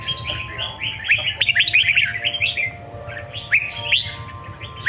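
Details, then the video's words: A red-whiskered bulbul pours out a lively songkon-style song, fast jumbled warbling phrases with rising, whip-like notes, a brief lull, then more bright upswept whistles; low hum underneath. "Chào mào hót giọng songkon cực hay"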